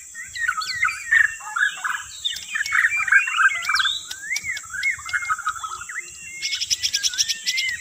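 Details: White-rumped shama (murai batu) song used as a bird-catching lure: a dense stream of rich whistled phrases with rising and falling slides and quick chatter, closing with a rapid buzzy rattle, over a steady high hiss.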